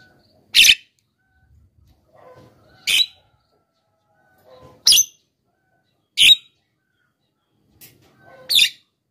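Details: Javan myna used as a lure call for wild mynas, giving five loud, harsh, grating notes spaced about every two seconds at an uneven pace, with faint softer chatter between.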